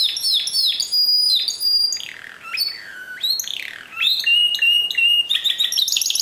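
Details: Continuous, varied Timbrado canary song in the discontinuous style, mixing swooping downward slurs, long level whistles and fast pulsed trills, all high-pitched and loud throughout.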